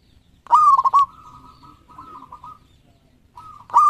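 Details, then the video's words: Local zebra dove, a champion bird, sings a loud cooing phrase: a rising opening note, then rapid broken pulses on an even pitch. Fainter dove cooing follows, and a second loud phrase starts at the end. "Perkutut Lokal Gacor Ekor 13 Juaranya Masteran Pikat"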